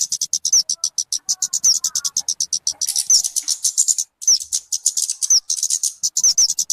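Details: {'caption': 'Talokan (kemade) sound suited for luring or tutoring birds: fast bursts of shrill clicking notes, each cluster topped by a quick rising whistle, with one short gap.'}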